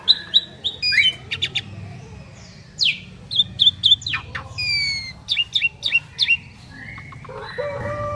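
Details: Two Asian pied starlings in duet: sharp clicking chirps and short whistled notes in irregular bursts with pauses, ending in a drawn-out whistle and lower buzzy tones.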